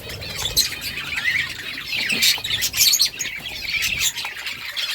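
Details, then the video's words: Budgerigars chirping: a dense, continuous chatter of high squeaky chirps, warbles and squawks overlapping from several birds, with occasional wing flutters. "Budgies parrot beautiful colour birds chirping sounds"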